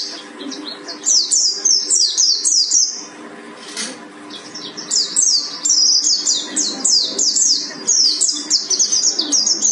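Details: Buxtoni mountain white-eye from Gunung Karang in a bursting 'tembakan' song style: rapid runs of high, thin whistled notes, each sliding downward, delivered in quick bursts with a short pause near the middle.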